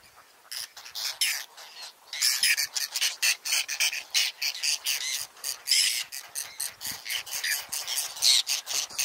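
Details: Whiskered terns at a nesting colony on water chestnut and lotus beds rebuild their nests in the Astrakhan Nature Reserve, Russia, on 22 July 2017. Several birds give harsh, rasping calls at once in rapid overlapping bursts.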